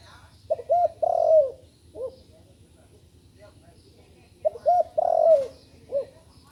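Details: Young spotted dove recently learning to coo: two phrases about four seconds apart. Each has short hollow coos, a long falling coo and a lone soft closing note. Low background hum.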